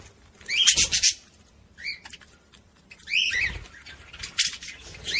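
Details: Budgerigar song used to stimulate females to mate; short bursts of sharp chirps and scratchy warbles separated by brief pauses, with a couple of upward-sweeping whistled notes.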